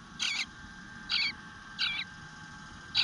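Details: Eastern bluebird chick in the nest begging for food, recorded on 25 June 2022 at 9:10 am: four brief, buzzy, quavering bursts within three seconds, separated by short pauses.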